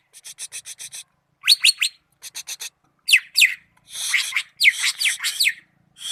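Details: Greater green leafbird, locally cucak ijo, in Malinau: a fast series of clipped ticking notes, then downward-slurred whistles mixed with harsh rasping buzzes, delivered in energetic varied phrases.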